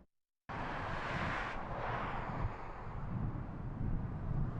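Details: After half a second of silence, loud broadband wind or aircraft roar fills the rest of the recording.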